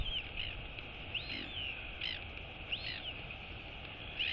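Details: Royal albatross chick, female, woken by its mother arriving to feed it on 23 August 2022, giving high arched wheeing calls repeated about every second over a steady hiss of wind.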